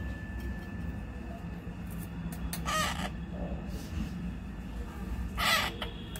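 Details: Baby parrot kept at home, during feeding: two harsh, raspy squawks spaced a few seconds apart over quiet indoor room noise.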